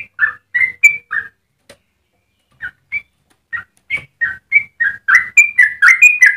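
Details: Yellow-vented bulbul singing a long, lively song used as a model for training other birds; short whistled notes around the mid range, grouped in bursts with a pause in the middle, then a faster run of bubbly phrases.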